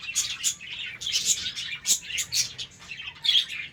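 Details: Budgerigars in a colony breeding setup during the morning: short bursts of shrill chirps and harsh squeaks, separated by brief gaps, from several birds together.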